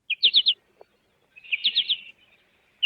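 American goldfinch giving bright, high chattering notes in quick bursts of three or four, like "po-ta-to-chip", with short gaps between bursts.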